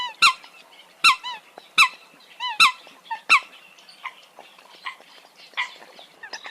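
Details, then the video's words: Eurasian coot calls ring out clearly: five loud, sharp, squeaky notes about a second apart, followed by softer, more distant calls from other birds. "tiếng sâm cầm"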